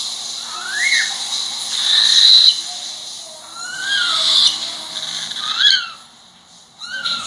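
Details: Pet cockatiel calling with arched, rising-then-falling whistles repeated about every one to two seconds, over a constant loud hiss.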